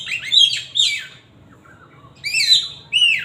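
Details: Oriental magpie-robin with loud whistled song: two rich, slurred phrases, a pause with soft low notes, then a further bright whistled phrase.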